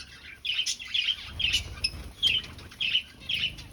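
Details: Aviary finches in a breeding colony, nest-seeking; short high chirps repeated roughly every half second to second, bright and clipped, with faint wing flutters and low background hum.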